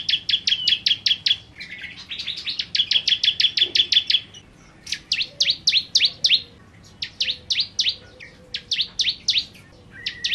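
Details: Bar-winged prinia singing vigorously: runs of loud, high, ticking notes, some with lower buzzy accents, delivered in uneven bursts separated by short pauses over about ten seconds.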